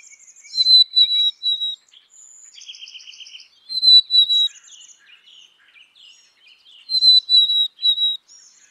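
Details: Black-capped chickadee whistling a clear, high, level phrase of three notes with a slight drop, repeated about every three seconds, with buzzy harsher notes in between.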